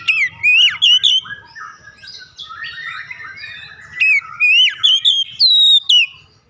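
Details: Oriental magpie-robin song meant to stir pet birds to sing: loud, clear whistles that rise and fall sharply, with high thin notes, some scratchy warbled phrases in the middle, and soft low rumbling behind.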